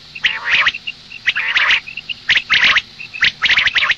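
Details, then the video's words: Female common quail calling in the morning: harsh, rasping double and triple bursts about once a second, interleaved with short, thin, high peeps over a quiet background hiss. "Madi batair ki awaz suba ke liye مادی بٹیر کی آواز"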